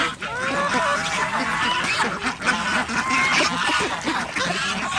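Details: Farm ducks being fed on an organic village duck farm in Andhra Pradesh alongside chickens and geese; a busy chorus of nasal quacks and bent, wavering calls overlapping steadily, with faint human voices underneath.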